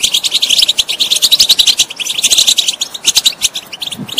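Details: European goldfinch song used to stimulate a bird that is not singing: rapid, continuous twittering of short high notes with buzzy trills, dense and unbroken through the whole stretch.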